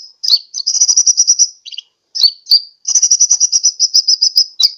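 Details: Sunbird call for luring birds, Pajampangan in Sukabumi: fast, evenly pulsed high trills broken by a few sharp descending chips and one short buzzy note.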